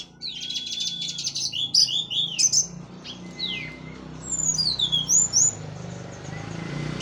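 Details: Post-moult Orange-headed thrush of Cililin origin sings loud 'plong' and 'teler' phrases: buzzy high trills and twisting whistles, then descending slurs and a soft long whistle, against steady broadband background noise.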